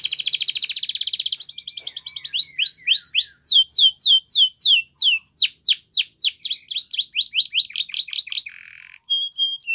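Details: Spanish Timbrado canary training song, loud and clean: a dense buzzing roll, then a faster metallic trill, then long runs of bright downward-sweeping notes, closing with a short harsh buzz and thin piping whistles.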